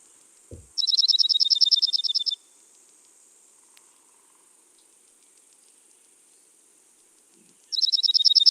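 Dark-eyed Junco singing a quick, even musical trill, heard twice in clear bursts.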